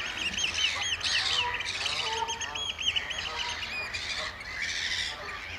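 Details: Oystercatchers at Amwell Nature Reserve in April, during a piping display: loud, shrill piped notes repeated in uneven bursts, with other faint bird calls mixed in.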